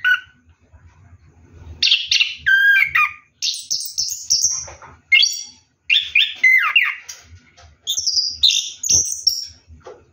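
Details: Orange-headed thrush in ngeroll song during a night bath: a series of loud varied phrases with whistles, chatters and dropping slurs, separated by short gaps, with soft low knocking.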